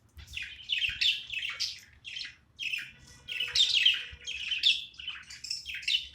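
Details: Budgie playing at home gives bright, rapid chirps and squeaky twitters, notes bunched in small groups with short pauses between them.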